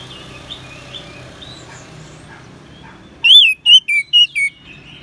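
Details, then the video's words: An orange-headed thrush (Geokichla citrina), in a recording used to tutor and lure other birds, gives soft chirps that give way to a loud burst of five rich, slurred whistles, each falling in pitch, within two seconds. "ANIS MERAH SAUARANYA MANTAP"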